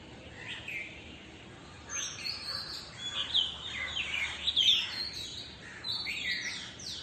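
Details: Rose-ringed parakeets flying overhead just before dawn on 3 May 2020 over a South Delhi terrace garden give shrill, screechy calls in irregular bursts over a busy dawn chorus with crows and occasional dogs, with steady hiss.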